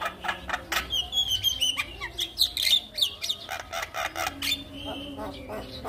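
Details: Javan myna singing to encourage silent mynas: clear high whistles slurred with sharp clicks and rasping notes, lively uneven chatter.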